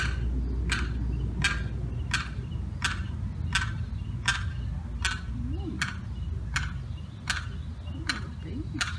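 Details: A lost limpkin chick, separated from its mother and sibling by a fence, gives sharp, high distress peeps about every three-quarters of a second, over low rumbling background noise and people talking; 4th of July.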